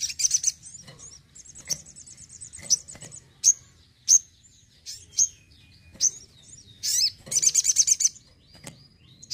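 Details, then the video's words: Crimson sunbird (sogon) kept at home, singing actively: thin high chirps and sharp sweeping notes, a buzzy rapid trill near the start and a fast ticking trill burst toward the end, faint low hum behind. "SOGON GACOR RUMAHAN"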